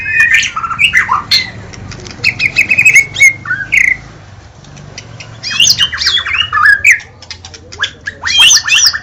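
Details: White-rumped shama in captivity: bursts of mixed whistles and harsh, chattering notes, broken by a short quiet gap, against a low steady background hum.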